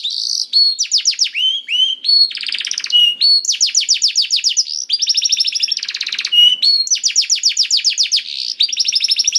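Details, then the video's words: Continuous canary song meant to coax a silent bird into singing: rapid rolling trills of short repeated notes alternate with brief whistled slurs and buzzy rattles, phrases changing every second or two without pause. "PANCINGAN KENARI SUSAH BUNYI AUTO NYAUT GACOR TANPA HENTI || VOICE OF CANARY"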